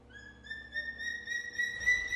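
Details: After hunting, a hawk-eagle gives one long, clear whistled note that rises slowly in pitch and grows louder toward the end, with a faint low hum underneath.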